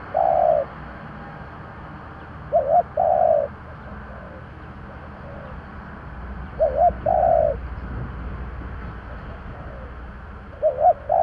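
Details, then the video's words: Spotted dove decoy cooing in the 'giọng thổ' voice to entice wild doves: spaced phrases of a quavering double note and a longer hoot, over steady low background hiss. "Tiếng cu gáy giọng thổ gáy gọi kích bổi / Cu gáy giọng thổ / Cu mồi giọng thổ gù gáy kích bổi chuẩn"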